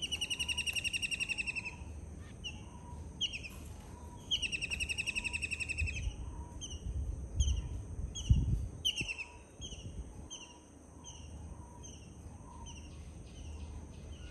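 A kingfisher gives loud, shrill, rapid rattling trills in bursts of about a second and a half, with a low rumble of wind or traffic underneath.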